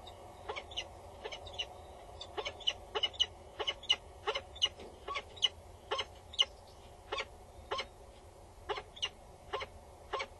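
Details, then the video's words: Peregrine falcon female, loud and bowing above the nest box on Axel Tower with the male nearby, 22 August 2019 at 10:55; a long, fast series of grating, cackling notes, two to three per second, over faint steady hum. "Female above the booth. Male is nearby. She is loud and bows"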